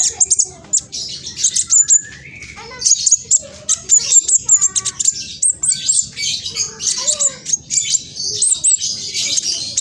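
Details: Juvenile spotted black sunbird in East Java sings a rapid, scratchy provoking song: nearly continuous high, dense chattering with sharp whistled notes and brief pauses, against a faint low hum.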